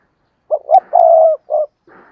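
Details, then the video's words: Decoy spotted dove calling to draw in wild doves. A single phrase of two short rising notes, a long steady coo and a brief closing note, then a soft rustle. "Chim Cu Mồi Cây Thúc Gù Và Gáy Gọi/ Cu gáy kích bổi nhanh nổi gù"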